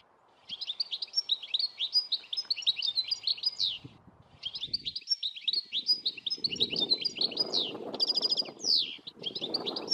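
European goldfinch giving long bright runs of tinkling, twittering notes with buzzy trills, in two bursts separated by a short pause; low rumbling noise underneath.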